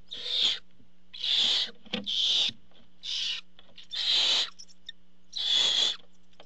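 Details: Barn owl at a nest watched by a nest camera as the father arrives with food. Six harsh, hissing screeches sound in quick succession, each about half a second long, over a steady low electrical hum.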